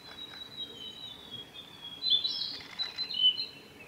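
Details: Male Japanese robin singing at Yanagisawa Pass, Japan, on 26 May 2019. A thin high note is held, then at about two seconds comes a loud, rapid, rattling trill with several clustered bursts, all over soft background hiss.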